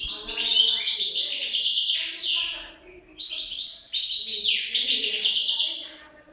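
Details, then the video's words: Two European goldfinches give a fast, continuous, high tinkling song of rattled trills and downslurred buzzes, pausing briefly near the middle. "couple chardonneret"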